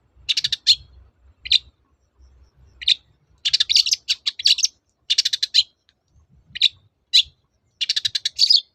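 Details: Long-tailed shrike (cendet) song meant to coax quiet shrikes back into singing: harsh rasping chatter in rapid clusters, broken by brief pauses, with single scratchy notes between bursts.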